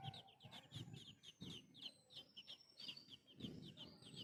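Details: Baby birds give rapid, high, squeaky begging chirps as their mother feeds them.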